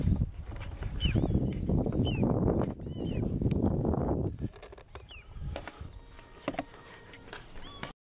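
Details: Agitated little ringed plover at Sadków, Poland, in June 2013, giving short, thin, down-slurred 'pee-oo' whistles roughly once a second over a heavy low rumble of wind or distant traffic.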